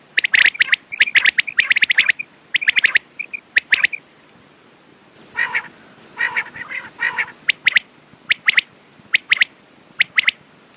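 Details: Quails heard in a morning and night calling recording: dense runs of sharp clipped notes with brief whistles, a long stretch of repeated harsh rasps in the middle, and spaced crisp double and triple chips at the end.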